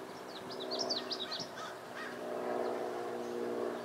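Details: American avocet chick filmed in 2011 on a Panasonic GH2: a rapid run of high, sharp, up-and-down peeping notes lasting about a second, followed by fainter calls and a constant low hum of background noise.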